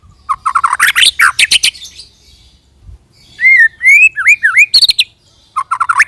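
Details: White-rumped shama (murai batu) 'roll tembak' lure song used to make other shamas sing: quick bursts of chirps, then a series of clear rising and falling whistled slurs, then more chirp bursts, with short pauses between phrases.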